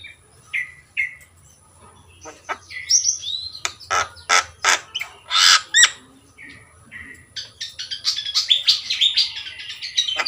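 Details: Captive Javan myna song: short whistled notes, then a series of loud harsh rasping bursts roughly twice a second, ending in a dense tangle of high chattering whistles; low hum underneath.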